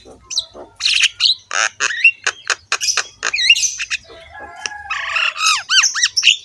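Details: Rough-voiced Javan myna (jalak kebo) delivering a rich, varied song for training other mynas to sing: a rapid series of harsh squawking bursts, then looping whistled notes rising and falling at the end.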